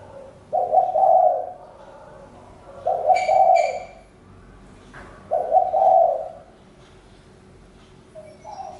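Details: Spotted dove giving repeated soft cooing phrases roughly every two and a half seconds, with a couple of brief higher chirps from another bird mixed in.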